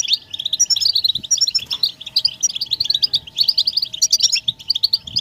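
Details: A group of European goldfinches giving betbeta mating and readiness calls that stimulate males to sing. Lively, high, bubbling twitters come in tight clusters with brief breaks, with a faint low hum behind.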